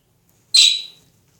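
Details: Pet budgerigars in an open environment; one gives a single harsh, high squawk that fades over half a second.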